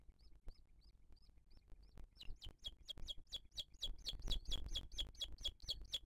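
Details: Booted eagle recorded at its nest in 2023 on a live camera while the mother feeds her chick. Soft, spaced arched whistles give way to a louder, faster run of sharp repeated notes, growing more intense.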